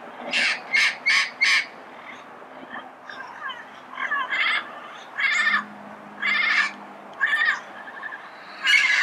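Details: Red-crowned amazon recorded early morning in Pasadena: bursts of harsh, grating squawks in short groups of three or four, with pauses between groups and faint background hiss.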